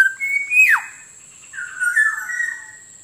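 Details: Black-naped oriole lure call: a rising, fluty whistle that breaks into a sharp downward slur, followed by a softer, drawn-out whistle with a wavering pitch, all over a constant thin high tone.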